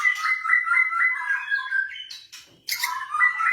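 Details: Caged blorok-type white-rumped shama singing a lure song meant to prompt reluctant shamas into song: a steady whistled note run sliding downward, then buzzy high bursts after a short pause, indoors.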